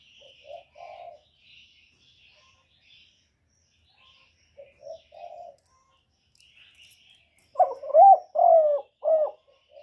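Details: Spotted dove acting as a decoy bird, with calling, cooing and urging calls. Soft low coos come in two short groups, then a loud phrase of four hoarse, slurred coos near the end. Faint chirps of other birds sound higher up.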